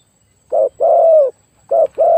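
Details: Decoy-luring spotted dove with a very big voice giving low mellow coos, a brief note followed by a sustained slightly falling coo, twice over.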